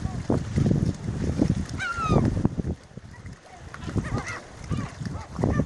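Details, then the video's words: Gulls fighting for food: one clear, high squealing cry that climbs then drops, among fainter calls and steady low rumbling and thumping sounds. "Seagulls Fighting for Food"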